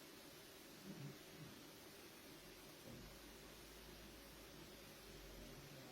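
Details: Quiet room-like hum with a low fan or engine drone and faint rustling; no animal voices are present.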